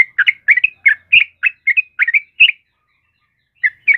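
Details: Yellow-vented bulbul chattering a dense string of bright, bubbly whistles for two and a half seconds, then silence, then two final notes.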